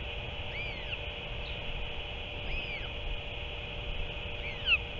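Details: Adult northern royal albatross returning to feed octopus to its chick, 7 March 2024; three thin whistled arcs rise and fall at roughly two-second intervals against a constant droning hum.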